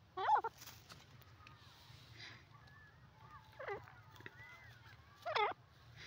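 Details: A francolin (dakhni teetar) gives three loud, harsh, grating call bursts, two to three seconds apart, with faint whistles of other birds in the background.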